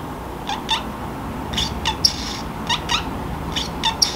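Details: Pacific parrotlet kept as a pet, chattering to itself when sleepy: paired raspy squeaks and chirps in short groups roughly every half second to second, uneven in timing, with a low room hum beneath.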